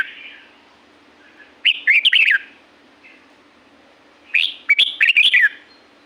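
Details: Wild red-whiskered bulbul from La-U forest in Thailand, singing two loud, rich, bubbling whistled phrases about three seconds apart, each a quick run of rising and falling notes, over a faint steady hum.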